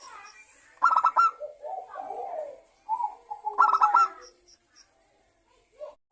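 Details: Zebra dove, local and Bangkok types, recorded as a lure to prompt other doves to sing: two bursts of rapid, stuttering, mid-pitched coo notes, each trailing into softer, lower purring coos, with quiet gaps between.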